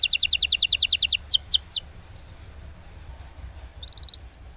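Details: Canary singing a long roll used to stimulate silent canaries: a fast train of repeated high notes, then a few slower descending whistles and short faint notes after a quiet gap.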